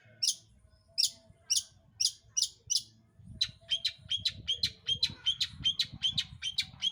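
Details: Long-tailed shrike song used as a lure to provoke other birds into singing: sharp, high, scratchy notes about every half second, then a faster run of clipped whistled notes over a low rumbling background.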